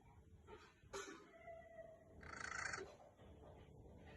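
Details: Cockatiel snoring in a home setting, a short gritty rasping burst of rapid pulses lasting about half a second, preceded by a sharp click and a soft faint whistle against low background hum.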